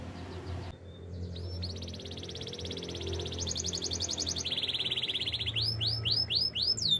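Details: Canary in the wild, heard more softly, gives long wavering buzzy trills at two pitches, then a run of clear down-slurred whistles over a low background hum.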